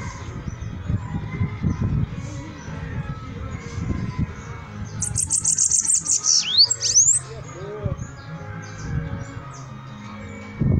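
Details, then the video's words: Bananaquit song in the middle of the recording: a high, hurried string of buzzy ticks followed by quick falling and rising whistled slides, with low rumbling noise before and after. "Sibite cantando"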